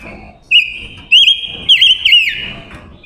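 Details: Lure-bird female silver-eared mesia singing to attract wild males: four loud, clear whistled phrases, each a bright wavering warble, about half a second apart, in a quiet background.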